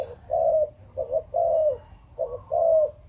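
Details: Three clear 'chụp chụp ô' phrases from a Malaysian breeding-strain spotted dove, each a quick broken double coo and a smooth, longer low note, in a quiet setting.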